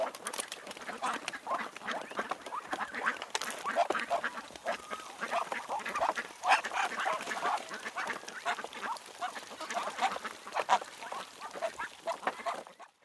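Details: Ducks heard in the wild, many overlapping nasal quacks and chatter forming a dense, continuous flock murmur with no clear pauses.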